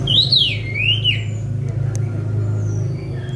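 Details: Sunda robin released to fly free outdoors, captured with a mobile phone: one loud swooping whistled phrase that rises, dips and rises again in the first second, then fainter high notes over constant low background hum.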